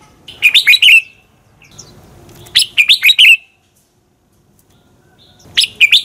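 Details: Red-whiskered bulbul giving fighting song, used as a decoy recording to train birds and spur morning singing; three bright, warbled phrases of about one second, each a quick run of rising and falling whistled notes, separated by short silences.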